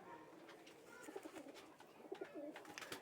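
Pigeons giving soft, low, rolling coos, with sharp clicks and rustles in between.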